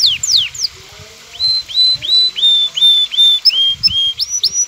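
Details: Aroused male canary singing to a female to bring on mating; falling slurred notes, then a steady series of rising whistles about two per second, with low background rumble.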